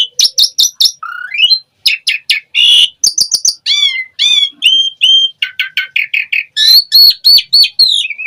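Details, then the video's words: Asian pied starling singing a continuous 'gacor full isian' song, dense with shifting phrases: stuttered high chips, upslurred and downslurred whistles, nasal rasping notes and quick repeated triplets, almost without pause. "Suara Jalak Suren Gacor Full Isian"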